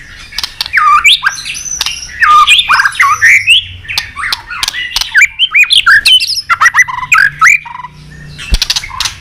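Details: White-rumped shama in competitive fighting song: dense tumbling whistles, squawky notes and sharp clicks in a continuous varied stream, ending with a few isolated clicks.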